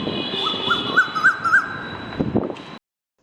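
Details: Asian koel calling in spring in Salt Lake, where its call is heard constantly in every corner though the bird is hard to see; a quick series of four rising whistled notes, each louder, over a steady high tone.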